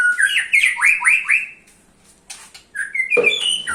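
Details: White-rumped shama singing to lure other shamas: rapid swooping, rising whistled phrases with harsh squawky notes, a short pause, then bright ascending whistles and a loud, rough burst.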